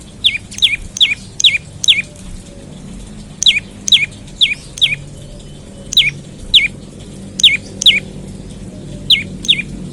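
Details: Olive-backed tailorbird calling in the morning, used as a lure to get other tailorbirds singing: loud, sharp upward-sweeping notes mostly in quick pairs, repeated steadily about every half second with short breaks.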